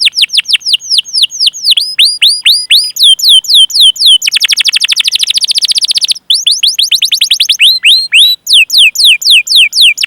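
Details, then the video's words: Canary singing to encourage other canaries to sing: repeated loud descending whistled sweeps, a dense rapid rolling trill in the middle, then more sweeping whistle series. "Masteran Suara Burung Kenari Gacor Panjang cuit cuit Ngerol untuk Pancingan Kenari!"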